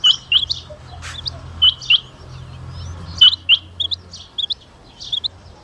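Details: Rain quail from Jhang and Mianwali giving sharp, high double whistles, 'whit-whit', in pairs every second or so, with softer chirps between and a faint low hum beneath.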